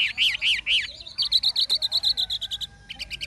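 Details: Older wild-caught Chinese hwamei, caged, in forest-voice song. Three arched whistles come first, then a rapid, even trill of short clear notes, about four per second. A brief pause is followed by more notes.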